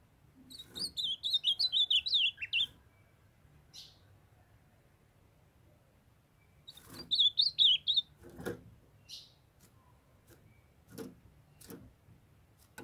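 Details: Young male ultramarine grosbeak in a cage, singing to a female calling to warm him up: two separate fast warbled phrases of about ten looping whistles, six seconds apart, with soft buzzy notes, clicks and knocks between.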